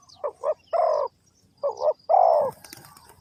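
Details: Spotted dove in Ninh Thuận by a bird trap giving two cooing phrases. Each has two brief notes and then a sustained, gently falling coo. A rustle or flutter follows at the end.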